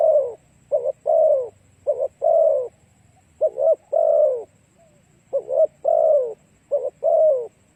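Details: Spotted dove song used as a lure for other doves. Soft, hollow cooing phrases repeat steadily. Each phrase has a brief double note leading into a longer, slightly descending coo, with a quiet low rumble beneath.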